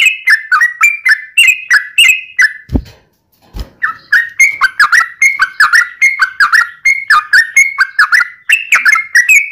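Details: Yellow-vented bulbul song in the 'ropel panjang' style meant to lure other bulbuls into singing: steady run of bouncy, dropping whistled phrases repeated quickly, broken once by two dull thumps.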